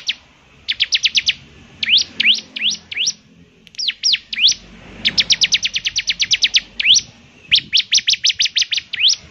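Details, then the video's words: {'caption': 'Bar-winged prinia in lively song, known here for a distinctive voice that triggers others to sing; quick strings of piercing high chips mixed with rising slurred notes, delivered in uneven bursts.'} "ciblek semi gacor, suaranya yang KHAS bikin ciblek semi IKUT bunyi"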